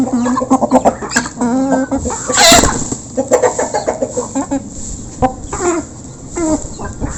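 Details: Local chickens feeding as a flock, recorded close by, keep up a busy stream of overlapping clucks and short calls, interrupted by a brief loud broadband scrape or clatter.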